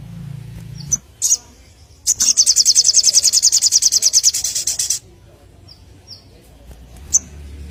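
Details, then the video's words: A small white-rumped shama delivers sogon filler phrases: a brief high note, then a rapid buzzy rattle of evenly spaced pulses for about three seconds, followed by scattered faint high chips over a low background hum. "si kecil handal !! sogon full isian gacor"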